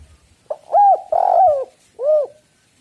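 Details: Spotted dove cooing, a lure recording to draw in doves: three arched, hollow coo notes, the middle one longer and drawn out, with a few low knocks beforehand.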